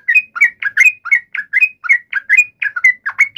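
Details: Emotional yellow-vented bulbul fighting call meant to make another bird respond: paired chirps, a low note followed by a brighter rising whistle, repeated roughly four times a second in clustered bursts.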